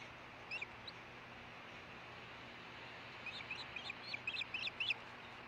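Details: Female osprey at the Hellgate nest on a nest cam, late morning of 10 August 2013, after the male's fish delivery: scattered high chirpy notes, two early, then a quick irregular run of about a dozen over steady hiss.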